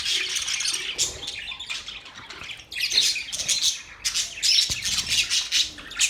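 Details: Budgies chirping together in a dense, overlapping chatter of high, scratchy warbles and squawks that swells and fades throughout.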